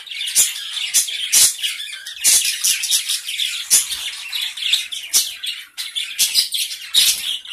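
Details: A small colony of gray Java sparrows chatters steadily, its overlapping high chips and twittering notes mixed with regular sharp taps or clicks roughly every half second to one second.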